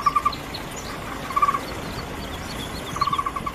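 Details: Taiwan barbet recorded in Bogor. It gives quick bursts of three to five short, even, hollow notes in a steady tapping rhythm. Each burst is separated by a pause of about a second and a half, over faint background hiss.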